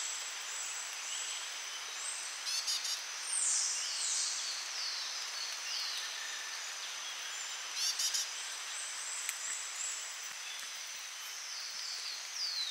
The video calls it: whiskered treeswift pictures , call and sound